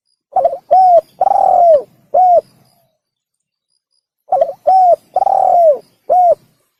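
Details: Spotted dove calling as a hunting lure: a phrase of a quick stuttered note, a short coo, a long drawn downslurred coo and a final short coo, repeated twice about four seconds apart, clear and close.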